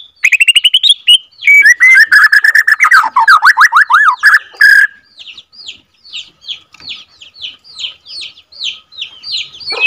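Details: White-rumped shama of Borneo F2 line in lure song: whistled phrases and rapid up-and-down swooping slurs, then a quieter series of short downslurred chips, about three per second.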